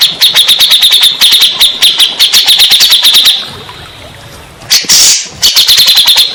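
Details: Grey-cheeked bulbul, a lure to make stressed birds sing: long strings of quick, high, evenly spaced chattering notes, a short gap, one harsh hissing burst, then the chatter resumes.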